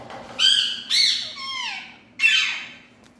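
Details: Playing green Indian parrots in India give three grating squawks, the middle one sliding downward, each burst loud and raspy, separated by brief quiet gaps.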